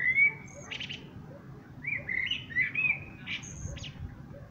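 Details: Singing common blackbird: clear, loud, flute-like whistles rising and falling in two phrases, each followed by a thin high squeaky flourish, over a soft low rumble.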